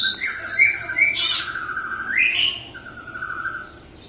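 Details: Lively song of a local Javan bush lark from Kediri, Java: squeaky high notes, a rough burst, then a rattling buzzy trill, a rising slur and a steady lower trilled phrase fading out.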